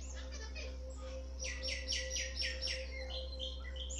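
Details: Backyard birds bathing in Pilicode village, Kerala State, India, filmed on a mobile phone; a rapid series of about six bright descending chirps, preceded and followed by softer twittering, over a steady low hum.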